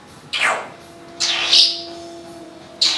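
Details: A female Timneh African grey pet parrot, a talker and mimic of vacuum and packing-tape sounds, gives a quick falling whistle, then a long harsh hissing burst and a final sharp squawk over a low steady hum.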